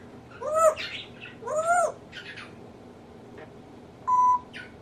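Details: Captive male African grey parrot mimicking household noises and vocabulary: two arched, voice-like tonal calls, a faint scratchy note, then a short steady whistle.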